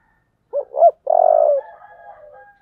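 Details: Spotted dove singing the Vietnamese 'giọng thổ' style: two short, looping low coos, then a long, buzzy, purring note that tapers off into faint drawn-out tones.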